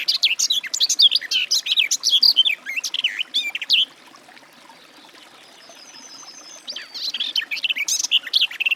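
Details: Garden warbler (Sylvia borin): a rapid, bubbling warble of varied notes for nearly four seconds, a lull with a faint high whistle, then the flowing song starts again.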